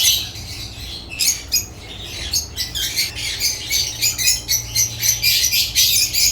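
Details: Shrill chattering from several African lovebirds: rapid, pulsing squeaks, about four per second, rising and falling in loudness against a constant low hum.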